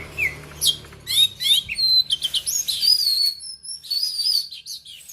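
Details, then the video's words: Kacer argal from Aceh, an oriental magpie-robin, delivering fast buzzy chirps that give way to clear, high sustained whistles and sliding notes, with a faint low hum early on. "kicauan Kacer Argal"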